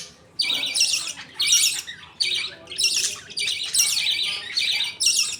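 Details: Budgerigars in a colony at feeding time, father feeding two babies millet paste; loud, harsh squawking bursts, each about half a second long, separated by short breaks.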